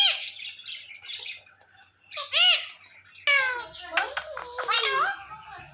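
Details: Male Indian ringneck parrot kept as a pet, watching its own videos: soft talking-like notes, a loud bent whistle, then a rapid string of chattering, speech-like syllables.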